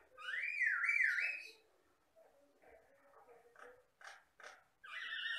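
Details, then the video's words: Myna, called jalak Batam, gives loud, clear whistles that rise and fall in a wavy pattern, then soft murmured notes, a few sharp clicks, and a final pair of whistled notes. "MASTERAN BURUNG JALAK BATAM GACOR"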